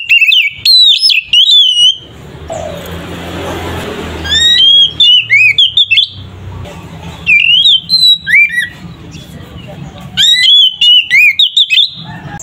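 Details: An oriental magpie-robin's ngeplong fighting song, played as a lure to provoke others. Ringing whistled phrases and quick slurs come in repeated bursts, with a hissing, noisy stretch partway through.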